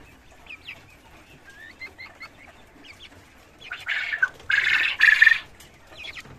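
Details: Farm Cochin chickens in cages: quiet background clucks give way to a run of loud, rough squawking calls lasting about two seconds, mixed with rustling.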